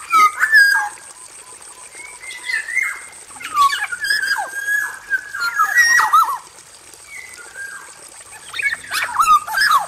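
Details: Male black-naped oriole singing in an aviary, a dense run of flute-like whistles, quick slurred notes and scratchy chatter in irregular bursts, with a high steady whine underneath.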